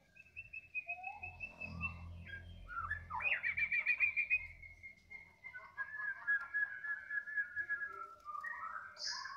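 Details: White-rumped shama singing steadily right after being fed: varied clear whistled phrases, some long level notes, a fast pulsed trill around the middle, then more sliding whistles over a faint low background rumble.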